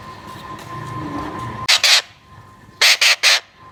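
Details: Young Alexandrine parakeet calling in grating, broadband squawks, a pair of short harsh notes followed by a quicker burst of three, with a faint background hum between them.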